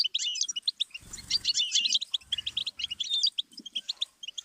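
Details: A goldfinch sings a tutoring song meant to teach young songbirds. Dense, fast tinkling twitters with liquid trills, and a few soft low thumps in the middle.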